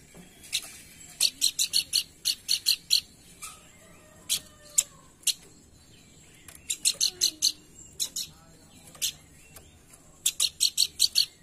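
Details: Lure recording of a pelanduk bukit for stimulating song: repeated short bursts of rapid, piercing chip notes separated by brief silences, with single isolated chips in between.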